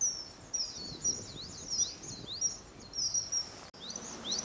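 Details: A male common kingfisher on a perch, recorded 14 March 2012, gives high, thin whistled notes. The short calls are repeated rapidly, some with a rising or falling slur, over faint background noise. He seems to be calling to a female.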